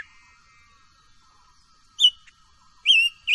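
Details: Silver-eared mesia, a cage bird, in voice-training song: a quiet start with faint low tones, then a sharp whistle, a click, and two loud wavering whistled phrases near the end.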